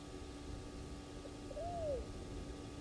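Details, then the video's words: Owl at Gowrie dam waterhole, Djuma Game Reserve, Sabi Sand, South Africa, at 03:16 at night, alongside a nightjar and a mystery sound: a single soft, low hoot rising slightly then falling over about half a second, over steady hum and rumble. "Mystery sound along with Nightjar and Owls"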